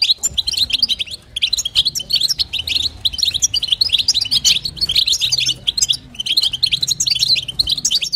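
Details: Calls of a female European goldfinch to encourage the male, bursts of rapid tinkling twitters about a second long, repeated with short gaps, high-pitched over faint low noise.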